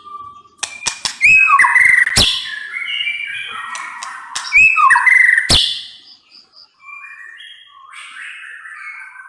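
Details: Singing white-rumped shama: twice a series of sharp clicks leads into a ringing whistled flourish, followed by softer, fading whistled notes.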